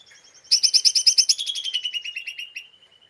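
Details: Agitated lesser green leafbird in the chattering ngeriwik style, used as a lure to provoke other birds: a sudden burst of rapid buzzy high notes, loud at first, then fading and sliding lower over about two seconds.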